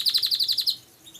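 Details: Songbird of a champion line giving a quick run of about eight sharp, high chirps at an even rapid rhythm, then falling silent with only a faint note afterwards.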